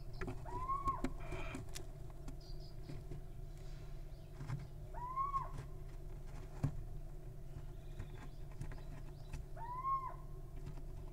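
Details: Wild little owl nestlings make three similar tonal calls, each sliding upward then flattening, repeated at roughly four-second intervals over a low continuous hum with faint rustling.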